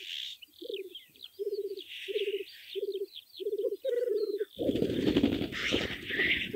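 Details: Male black grouse displaying at a spring lek in the Scottish Highlands in the early morning, where males fight for females. Low bubbling, cooing bursts come in regular phrases about a second apart, then give way to a loud broadband rushing noise.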